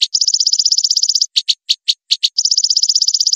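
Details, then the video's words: White-rumped shama in a tutor track for songbirds: a fast, even, high rattle of clipped notes, broken by half a dozen separate sharp chips, then the rapid rattle starts again. "MASTERAN MURAI BATU PALING AMPUH....!!"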